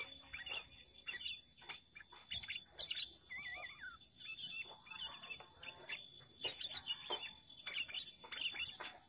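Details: Sooty-headed bulbul in full varied song, played as a trapping lure: bursts of shrill chattering chirps with a wavering warbled phrase in the middle, over a constant faint high hiss.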